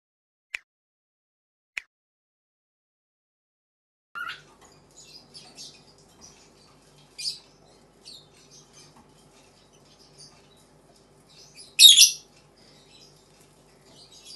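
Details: Two pet cockatiels, a female and a male, argue with harsh, scratchy chatter that ends in a loud, grating screech.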